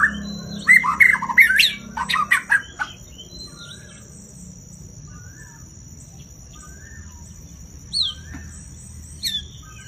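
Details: White-rumped shama, a caged songster, singing: a burst of loud, varied whistles and harsh chirps in the first three seconds, then sparse short whistled notes, over a steady high electronic hum and low background rumble.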